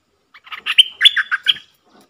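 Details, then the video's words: Decoy bulbul meant to provoke wild birds to fight: a quick chattering lead-in, then a fluty, bubbling phrase of several warbled notes, ending within about a second and a half. "เสียงต่อนกดอกแตงEp.117นกป่าจะรบอย่างเดียว!! นกต่อจ้าวขันเงิน Suara merbah lekir"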